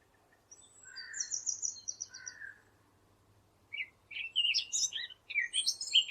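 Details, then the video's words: Eurasian blackcap in a recording meant for hunting callers: high chattering trills and a couple of softer lower notes over a steady background hum, then louder jumbled whistled phrases toward the end. "نصف ساعة من صوت التيان او عصفور التين للاجهزة ومكنات الصيد -عالي النقاء-"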